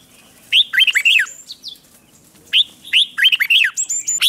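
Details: Red-whiskered bulbul giving competitive, voice-training song: two rich, bubbly bursts of warbled phrases, notes sliding and looping quickly through the mid-high range, with a short pause between bursts.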